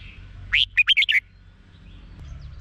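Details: Red-whiskered bulbul from Thailand, a caged songbird, singing to excite other caged birds: one phrase of five warbled, fluty notes, the first rising sharply, over faint low background noise.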